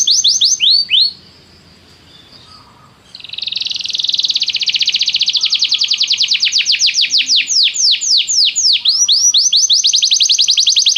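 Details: Canary singing as a training sound to make a pet canary sing: a few swooping notes, a short pause, then a long, steady, fast trill that slows into repeated sweeping whistles.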